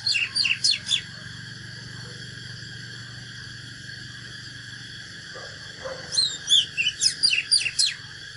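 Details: Oriental magpie-robin giving a fighting song used to fire up birds in training: two bursts of rapid, sharp whistled and chattering notes, the first at the start and the second after a pause of about five seconds, over a steady high-pitched hum.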